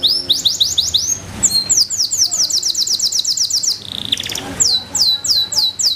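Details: A Belgian Bossu canary sings bursts of quick rising whistled notes, breaking into a lower buzzing roll near the middle before returning to bright repeated sweeps.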